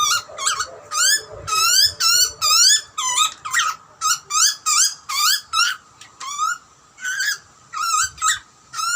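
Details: Baby butcherbirds begging while being fed by their parents in the Australian wild, a rapid run of rising, harmonic screeches, each about half a second, repeated almost without pause.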